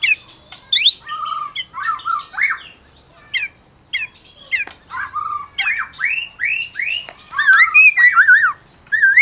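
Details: White-rumped shama of the Medan strain, a champion caged singer used to provoke mute shamas: a varied song of rising and falling whistled slurs and arching notes, with short pauses and a louder, looping close.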